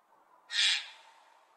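A magpie gives a single harsh, rasping screech lasting under half a second, broad and noisy rather than tonal, against a faint low hum.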